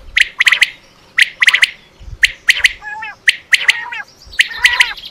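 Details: Quail calling, used in quail hunting; quick clusters of sharp clicky notes with a few wavering, warbled harmonic calls mixed in, over faint background rustle.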